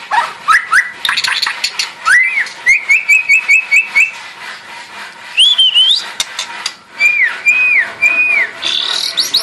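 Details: White-rumped shama practising for a contest: a run of repeated short arching whistles in an even series, then scattered upslurred and downslurred notes over dense clicking and a steady hiss.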